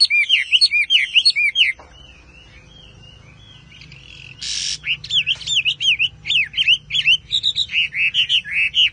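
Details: Chinese Hwamei song: loud whistled slurs at the start, a quiet gap with a noisy burst, then rapid varied whistles and chattering notes resume.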